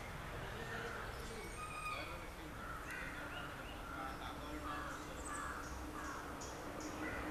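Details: Yellow-billed babbler (poothankiri) chattering: a loose run of scratchy, nasal squawks, some overlapping, with thin high squeaks near the end, against a constant low hum.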